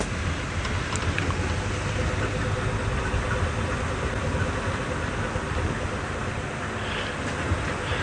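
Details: A steady vehicle engine rumble fills the recording, with no clear animal calls.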